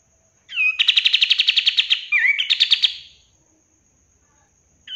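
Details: Kapas tembak bulbul on a master recording for training caged birds. One loud bout opens with a short slurred note, then a fast rattling trill runs for about two seconds and breaks into twisting slurred phrases before fading.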